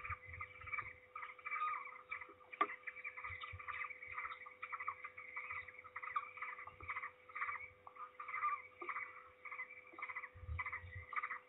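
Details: Peregrine falcon returning loudly to its nest at Trzebież, 16 May 2019, mid-afternoon, while a second falcon hurries away; almost unbroken harsh, rasping chatter pulsing in quick bursts, with occasional low thuds.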